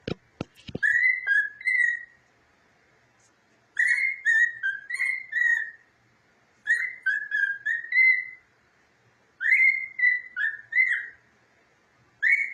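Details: A pet cockatiel singing happily in its new cage, in bursts of warbled, whistled phrases, each lasting a couple of seconds.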